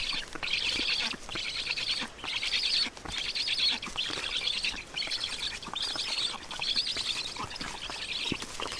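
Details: Black storks at a nest in Estonia during feeding, 20 June 2019, afternoon; rapid bursts of high, hoarse chattering calls repeated roughly every second, with rustling and knocking from the nest.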